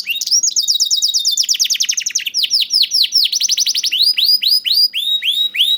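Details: Lure song of a juvenile canary meant to coax silent canaries into singing: dense high trills change to slower, looping, downward-curving notes repeated in quick succession.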